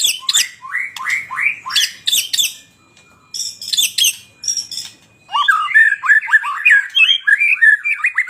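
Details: Song of the magpie-robin: harsh, grating squawk-like notes repeated in bursts, a short pause, then fast lively whistled chirps tumbling up and down without a break.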